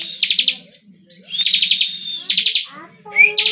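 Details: Moulting bar-winged prinia (ciblek) in 'ngebren' song: fast pulsed trill bursts alternate with a sustained high whistle and a short rising note, over a soft low background hum.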